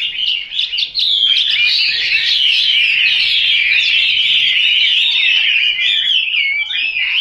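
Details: Chinese hwamei kept at home, pouring out a dense, continuous song of fast, fluid whistles and warbles, loud and sustained from the first second to the end.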